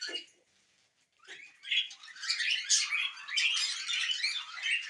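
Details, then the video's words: A happy pet budgerigar chirps briefly, pauses for a second of near silence, then breaks into loud, busy warbling with scratchy twitters and sharp squeaks that continue to the end. "Happy Budgie Sounds"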